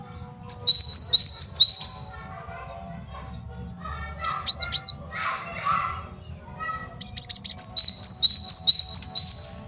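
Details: Male great tit master song for tutoring and luring: fast ringing high phrase series at the start and end, with a middle section of mixed chatter and faint voices.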